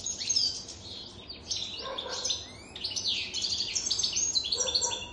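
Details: Lively European goldfinch song from a jadr aged over three years: a steady stream of high twittering notes and slurred chirps, with a few lower nasal notes mixed in.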